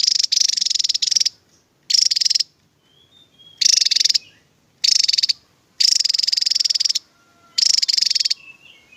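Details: Javan tesia (Tesia superciliaris), song.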